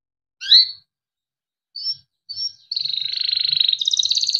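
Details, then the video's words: Timbrado canary singing melodic song for training: a few short bright chirps, then a fast rolling trill that shifts higher near the end. "Timbrado canary singing beautiful melodic songs for training"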